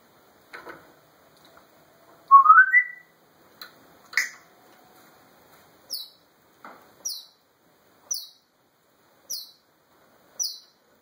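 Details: African grey parrot alone in a room, talking and doing sound effects: a short rising whistled phrase of stepped notes, scattered clicks, then a series of brief high chirps repeated about every second.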